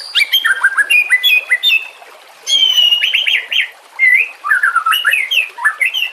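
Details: Training song of the white-rumped shama against a trickle of water. Busy bursts of mixed whistles and sharp high notes alternate with sustained warbling phrases that rise and fall.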